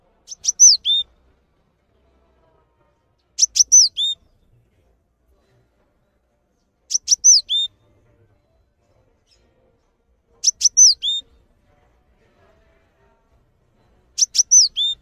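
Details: Cinereous tit singing steadily as a tutor bird for training others: a brief phrase of two sharp ticks, a falling whistle and a lower steady whistle, repeated about every three and a half seconds in silence.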